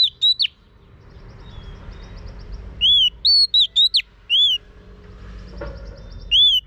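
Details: Female Oriental magpie-robin whistling to prompt a male to sing: short groups of arched, slurred whistles separated by quiet spells, with faint softer notes in the background.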